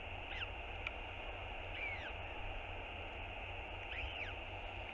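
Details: A hungry northern royal albatross chick begs its father for food, recorded by a nest cam on 7 March 2022. Three thin arched squeals, the last a double, sound under strong constant wind.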